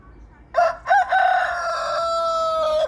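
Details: Rooster crowing: two short rising opening notes followed by a long, loud, sustained harmonic crow that holds steady for about two seconds before ending abruptly, against a quiet background.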